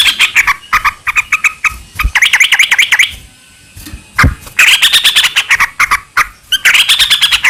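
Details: Sooty-headed bulbul in long rapid 'ropel panjang' song, used as a lure to make other bulbuls sing back; loud bursts of bright chattering notes, then arching whistled phrases around 4.5 and 7 seconds, with short pauses between.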